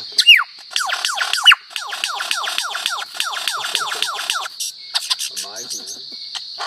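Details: Lyrebird mimicking other sounds, a recording used for training songbirds: a rapid series of sharp downward-sweeping whistles, about a dozen in quick succession, followed by scattered chips, over a steady high insect-like hum.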